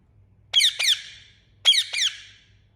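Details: Indian ringneck parakeet giving two loud double chirps, each a pair of harsh descending notes, separated by a second of quiet; a low steady hum in the background.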